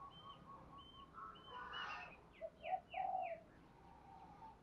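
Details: Spotted dove thúc gù cooing, intended for training newly caught doves. Two short hoots and a longer coo rise above a noisy background full of other birds' repeated whistles and chirps.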